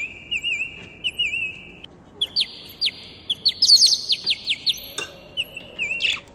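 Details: Pair of parrots kept at home, singing and talking together: a held whistled tone with warbling wobbles, then a fast series of clipped upward-swooping notes, ending with more trilled whistles and a brief harsh burst.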